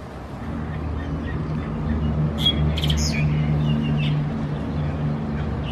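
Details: Common myna of the nominate subspecies, bobbing its head in a Norfolk Island pine at Khao Yoi, Phetchaburi, Thailand, 13 February 2024; short rasping, crackling bursts and a few thin high notes over a steady low engine rumble.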